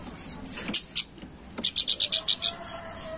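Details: Planduk bukit lure call in gacor crewet style: a few separate high chips, then a fast run of about eight shrill repeated notes, ending in a thin, low whistle.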